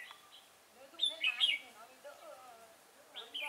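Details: Red-whiskered bulbul, trapping session with a decoy bird at Chùa Hương, Vietnam, 5 March 2018: a loud burst of bright warbling whistles near the middle, a final rising phrase at the end, soft talking and weaker chirps between.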